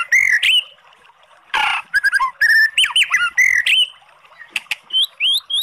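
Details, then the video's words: Oriental magpie-robin singing to spur a quiet bird: loud whistled phrases, a harsh rasping burst, then rapid twisting whistles and high upslurred notes with clicks. "SUARA MURAI BATU bikin EMOSI JADI Naik BIRAHI NYAUT ¦ PANCINGAN MURAI"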